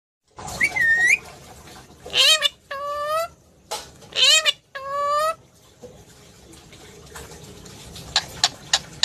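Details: Pet parrot in India talking: loud, harmonic squawky phrases, some rising and some falling, separated by short pauses, followed by softer sounds and a few sharp clicks.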